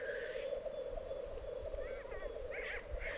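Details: Black grouse displaying at a lek in the Piedmont Alps, 2022: a steady low bubbling chorus runs throughout, with a short hissing burst at the start and thin, wavering higher calls near the end.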